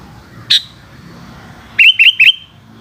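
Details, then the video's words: Sooty-headed bulbul singing during the afternoon: one sharp chip, then a rapid run of three bubbly rising whistled notes, over a soft low background hum. "Burung kutilang oceehan disore hari"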